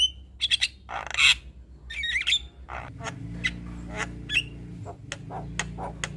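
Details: Javan myna, white-eyed form, singing a full 'isian' medley while nodding: scratchy squawks, a brief whistle and scattered clicks over a low steady hum.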